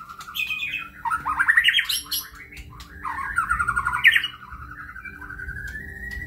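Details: White-rumped shama in full kebyok song, rolling rapid trills and warbled whistles that swell and dip, ending in a long rising whistled note over faint low background noise.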